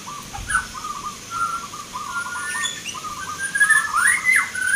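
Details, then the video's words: Contest-singing local zebra dove, Nglagu Ngepat Mentaraman rhythm style, Yogyakarta, Indonesia, 19 November 2023; a run of quick low stuttering coos, then higher thin whistles from other birds near the end. "PERKUTUT LOKAL BERTAARUNG ADU GACOR"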